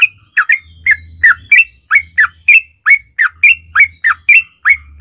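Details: Yellow-vented bulbul lure song, 'ropel panjang' style: a steady string of sharp, downward-slurred chirps and brief whistles, roughly three per second, over an on-off low hum.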